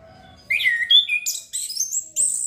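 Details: Orange-headed thrush singing, used to stimulate breeding urge: a low hum, then a quick series of clear whistled phrases stepping upward in pitch, each short and bright, ending in a high sustained note.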